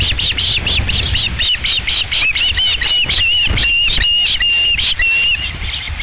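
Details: Osprey calling at its Dunrovin Ranch nest on 11 July 2016 as the second fish arrives: rapid piercing chirps, nearly four per second, running into longer level whistled notes before fading.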